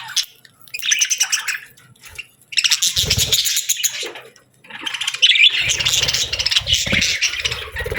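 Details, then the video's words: Summer parakeets chirping, several birds chattering in dense buzzy bursts with brief gaps, plus low thumps and rustling beneath. "Parakeets Chirping Sounds"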